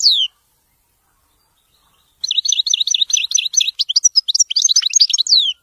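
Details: Goldfinch delivering Widani-style song: a brief descending whistle, a pause, then a long liquid run of rapid, varied high twitters and chirps, ending in a falling slurred note.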